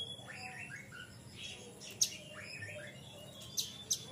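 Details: Caged Oriental magpie-robin in full, open song, played as a lure for untrained birds: faint whistled phrases sliding between higher and lower notes, with a few sharp clicks over steady low background hum.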